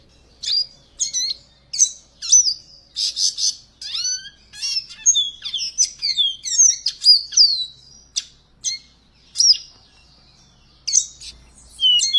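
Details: A seedeater delivers a fast, varied song: rapid chirps, buzzy trills and sweeping slurred whistles packed closely together, high in pitch, pausing briefly before short bursts resume near the end.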